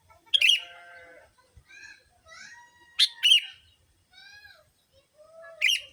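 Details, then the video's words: Sooty-headed bulbul lure sound for drawing in bulbuls: loud rasping paired bursts, with clear whistled rising and falling notes and softer chatter filling the gaps. "Pikat Kutilang...!!! Suara Burung Pikat Kutilamg Masteran Paling Cocok Semua Jenis Burung Kutilang"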